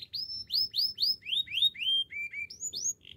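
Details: Canary notes as a slow series of upward-sweeping whistled chirps about four per second, sliding lower in pitch, then a few short flat notes and a soft buzz, on a quiet background.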